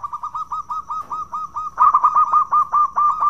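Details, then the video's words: Local zebra dove in full voice, a recording used to spur other doves into song: evenly spaced staccato coos repeated several times a second, becoming louder and denser in the second half. "Pancingan Perkutut Lokal Gacor Suara bekur"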